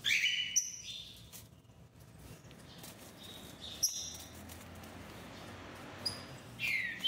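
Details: Rufous-bellied thrush singing: short clear whistled phrases, some falling, sung at the start, around four seconds and at the end, separated by quiet pauses with a faint low hum in the background.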